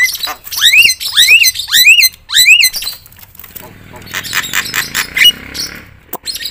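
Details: Loud, continuous Javan myna song used to provoke other mynas: four strong rising slurred whistles with harsh edges, followed by quieter scratchy, chattering notes and a sharp click.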